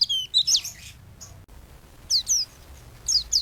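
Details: White-eye (pleci) singing as a master recording for songbird training: scattered clusters of high, thin, falling chirps separated by short pauses, with faint low background hum.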